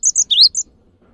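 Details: Short fragment of cinereous tit song: two sharp high whistles, a rising swept note, then one more high whistle, over a low background murmur.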